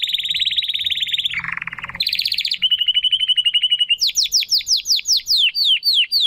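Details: Spanish Timbrado canary, a young bird trying to find its full song, delivers a fast metallic rattle, a lower rough roll, a steady trill, then repeated descending whistled notes.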